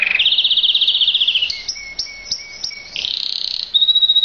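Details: Mosaic canary singing rapid high trills, a fast buzzy rolled tour, then sustained whistled notes with short repeated upward flicks, followed by another quick trill, all clear and loud against a quiet background.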